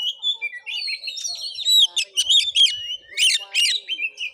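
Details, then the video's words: Fighting Oriental magpie-robin singing at a village house in Muko Muko, Bengkulu, Indonesia; loud, continuous medley of clear whistled phrases, rising and falling slurs and harsh buzzy bursts in quick succession, with a faint hum. "Kacer tarung|pancingan Kacer gacor|Kacer Konslet|burung Kacer"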